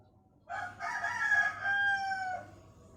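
A Pelung rooster gives one drawn-out crow of about two seconds, rich and ringing, held level before a slight fall at the end. Faint low background hum.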